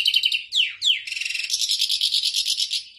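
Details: European goldfinch singing tolaa-style notes: bright high twittering, two quick descending slurred whistles near the start, then a dense run of buzzy trilled notes to the end.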